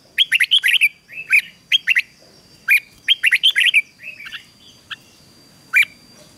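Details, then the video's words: Red-whiskered bulbul practising its morning song, rapid bright whistled notes in tight bursts, a trill of chirps around one second and another near three seconds, then sparse single notes and a final loud whistle. "Luyện chào mào hót căng lửa, QUÁ HAY - CHÉ KÍCH BỔI CĂNG ĐÉT, Cách luyện chào mào hót sáng"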